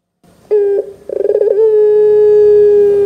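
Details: Barbary dove of the pelung cooing type, used as a lure for young doves: a short opening note, then a fast throbbing stutter that runs into one long, level, drawn-out coo.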